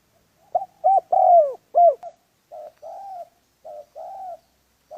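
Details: Spotted dove calling during dove trapping, a jumble of short coos and a stronger downward-bending note, then softer flat coos trailing off, low-pitched and mellow with quiet background.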